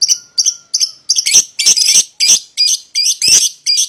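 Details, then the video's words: Paud lovebird pair, played to tempt a rival bird into singing, in harsh, high chattering bursts repeated quickly, some notes rough and buzzy, roughly three calls per second. "PASANGAN LOVEBIRD PAUD,!Pancingan Memanggil Lawan Agar Ikutan Bunyi"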